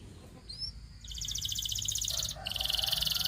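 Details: Canary singing: after a faint opening with a couple of thin rising whistles, a fast high buzzy trill starts at about one second, then switches to a lower, louder rapid rattle near the end; low background hum.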